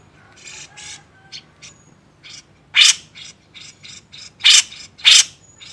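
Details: Grey-cheeked bulbul on a master recording for training songbirds: a run of short, harsh, raspy bursts, with three loud scratchy blasts standing out among softer chatter notes, all against a quiet background.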